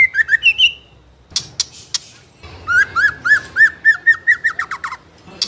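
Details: Spotted young White-rumped shama (trotol), fighter style, singing without pause to goad other shamas into song: short whistles and clicks, then a long rhythmic train of about fourteen looping whistled notes.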